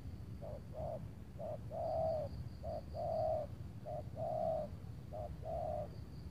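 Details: Spotted dove cooing near Tangerang on an overcast late afternoon, lured by a decoy bird; clear repeated pairs of a brief note and a long mellow coo, steady rhythm near one per second, light background rumble.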